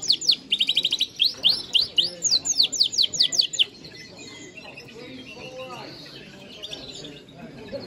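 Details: Clear yellow Norwich canary singing: a rapid series of high, sweeping whistled notes and trills lasting under four seconds, followed by a soft, noisy background with faint low murmurs.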